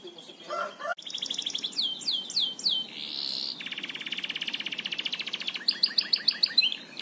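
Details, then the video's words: Master recording of a canary for training birds, singing vigorously: rapid high whistled slurs, a buzzy sustained trill, a long fast rattling roll, then sharp repeated chips, all high-pitched and loud with no other sounds. "Masteran Burung Kenari gacor ngebor"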